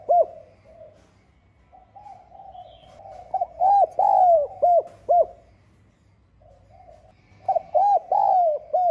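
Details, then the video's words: Spotted dove calling in the 'giọng son' style to rouse rivals. A soft lead-in gives way to a loud phrase of short coos and one long falling coo, then silence before a second phrase begins. "Tiếng Cu Gáy GIỌNG SON [ GÁY GỌI - THÚC ] GIỌNG HẠP BỔI Kích Bổi Nhanh Nổi"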